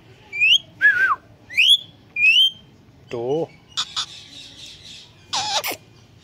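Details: Talking Indian green ringneck parakeet producing human-like speech sounds: rising whistled syllables, a low wavering voiced phrase, and harsh noisy bursts in a back-and-forth sequence.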